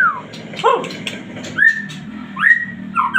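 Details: White-rumped shama in full, energetic song: loud clear whistled notes, some sliding down and some rising, spaced by short pauses, with a low hum beneath.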